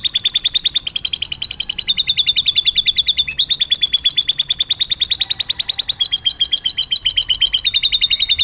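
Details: Canary trained on lovebird phrases sings a long, unbroken trill of rapid clipped notes, shifting between slightly different pitch levels several times, with one brief hiccup in the rhythm.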